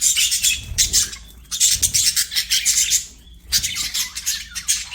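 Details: Budgerigar chirps and chatters in dense buzzy bursts, with one brief lull in the middle before the warbling resumes.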